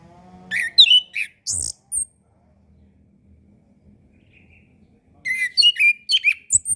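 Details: Training song of an orange-headed thrush, meant to lure young or moulting captive birds into singing: a rapid string of bright whistles and sharp chips, a long silence, then another fast burst of mixed high phrases.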